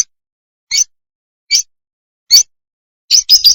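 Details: Lovebird giving single sharp, squeaky chirps spaced under a second apart, four in a row, then a quick cluster of three shrill notes.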